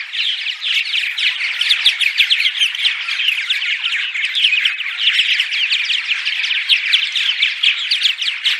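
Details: Dawn song of purple martins, played before dawn during spring arrival to attract them to nesting sites: a thick, unbroken wash of throaty chirps, creaky warbles and gurgling notes from many birds at once.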